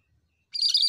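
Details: Cucak kerinci bulbul in full song, a brief chattering burst of squeaky, jumbled notes starting halfway through and running to the end, with no other sounds.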